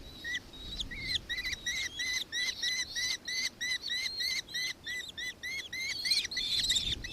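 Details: Nankeen kestrel in Victoria, Australia, recorded 4 December 2024, giving a steady chatter of shrill, slightly arched notes, roughly three each second, becoming denser and harsher toward the end.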